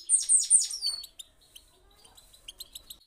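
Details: European goldfinch song used to get birds singing, in the 'pit pitak' and 'chi chiu' styles: loud, high, rapidly descending twittered notes at the start, then faint scattered high ticks and chirps.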